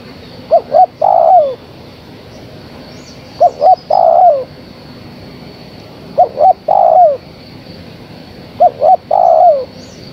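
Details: Female spotted dove calling for a male, repeating a phrase four times about every two and a half seconds: two brief coos, then a longer coo dropping in pitch. A faint high hum is in the background.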